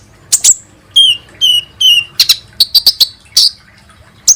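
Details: Kolibri ninja sunbird heard as lure sound for making birds sing: high clipped chirps, then three clear descending whistled notes, followed by a rapid string of sharp ticking tweets.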